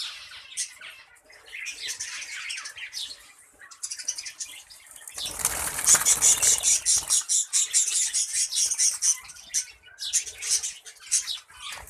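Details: A budgie colony keeps up constant high chattering and chirping, with a burst of wing flapping in the middle and rapid pulsing twitters afterwards.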